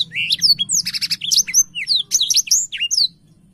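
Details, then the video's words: Short spell of lively blackthroat song, wings spread: high rising whistles, a grating buzzy rattle around the first second, more quick slurs, then the singing stops. "Burung blackshot gacor sampai buka sayap"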